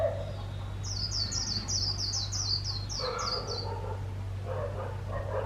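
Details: Líu song from a trapped decoy white-eye kept to lure others: a rapid string of around twelve thin, high, downslurred notes lasting nearly three seconds, followed by lower barking sounds and a constant low hum.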